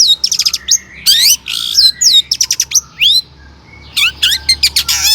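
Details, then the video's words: Vigorous long-tailed shrike song full of borrowed phrases, meant to provoke other shrikes; varied squeaky slurred whistles, harsh rasping bursts and quick twittering notes with short pauses between phrases. "suara cendet gacor PALING DI MINATI,, PANCINGAN CENDET AGAR BUNYI"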